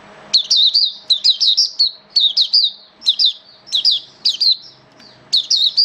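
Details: Caged Oriental white-eye singing during wet, rainy weather, recorded 8 October 2022: bursts of sharp, high, twisting chirps in quick clusters separated by short pauses, loud and clear against a quiet background with a faint steady hum.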